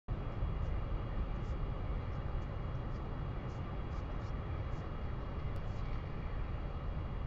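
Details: Steady low rumbling noise, like wind or an engine, fills the recording without any animal sound.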